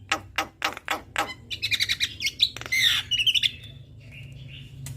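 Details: Male and female black-winged starlings singing a duet: a run of sharp clicks, then buzzy warbled phrases and wavering whistles, ending in a softer drawn-out note over low hum.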